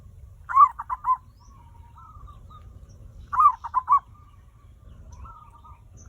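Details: Zebra dove singing as a lure to get other birds calling quickly: two phrases, each a quick cluster of mellow, bubbling coos followed by softer drawn-out notes, about three seconds apart, against a quiet low background.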